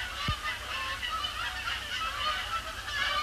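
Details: Incoming flock of Canada Geese over Sapsucker Woods Pond after sunset under heavy overcast, October 2017; dense, overlapping honking from many geese throughout the short stretch.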